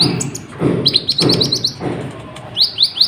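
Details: Sunbird (kolibri ninja) singing to provoke other birds: a quick run of high piping chirps followed by three rising sweeps, with soft low thuds beneath.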